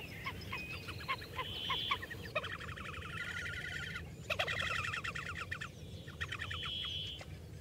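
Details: Slavonian grebe: several bursts of squeaky, harmonic trilling, some with thin whistled tones, separated by brief pauses, over faint low rumble.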